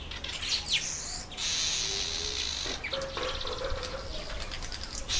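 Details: Red bishop in breeding season among reeds and bulrushes. Quick chirps open into a loud, wheezy buzz lasting about a second and a half, then a rapid stuttering chatter.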